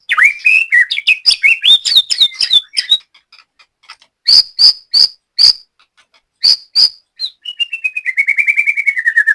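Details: Singing white-rumped shama at latber practice, Banyumas, Central Java, kept caged. A fast jumble of whistles leads to clipped high chips, then ends in a long, even trill that falls slightly in pitch.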